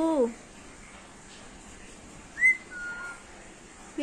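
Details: Female Alexandrine parakeet mimicking speech indoors: short voiced word-like syllables open and close the moment, with a sharp rising whistle and a long, slowly falling whistled note between them.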